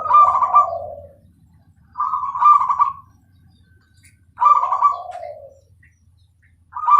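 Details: Perkutut, the zebra dove, Bangkok type, giving a clear, well-spaced song: bursts of rolling purring coos ending in a lower falling tail, repeated roughly every two and a half seconds with quiet gaps.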